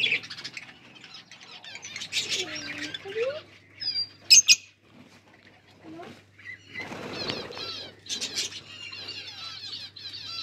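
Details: Lovebirds while mating: bursts of shrill chattering squeaks and short rising whistles, broken by quiet gaps, with loud wing flapping and scuffling sounds and a brief sharp click near the middle.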